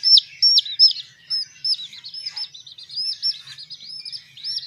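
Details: Young domestic chicks raised as baby hens peep loudly in high, sharply rising-then-falling notes, loudest at the start, then a denser, quieter stream of overlapping chirps.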